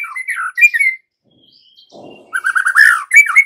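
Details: White-rumped shama lure song, meant to spur young wild-caught shamas into steady singing; bright whistled phrases, a short gap with a soft rustle, then a fast run of repeated notes ending in clear whistles.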